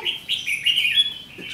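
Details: Red-whiskered bulbul used as a decoy in a trap, 7 July 2016, singing a fighting song; continuous chain of rich warbled, slurred notes with several loud peaks, low background noise.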